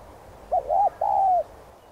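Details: Cooing spotted dove, a sound used to get other doves singing: one phrase opening with a quick wavy double note and ending in a sustained, softly descending coo over low steady hiss.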